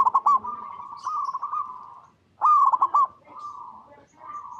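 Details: Local zebra dove (perkutut) singing, recorded in natural habitat to lure other zebra doves into answering. Quick rippling coos flow into a sustained cooing phrase, then a short pause, another loud rolling burst and more gentle coos.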